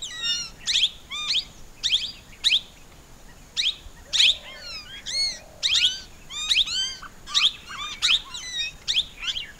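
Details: Plum-headed parakeet calling: short, high, squeaky upward-sweeping notes, often paired, repeated irregularly about every second or two over a quiet background hiss.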